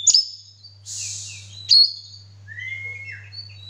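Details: Male Oriental magpie-robin in full song while spreading its tail: short high piercing notes, a harsh buzzy burst, then a lower drawn-out whistle, over a steady low electrical hum.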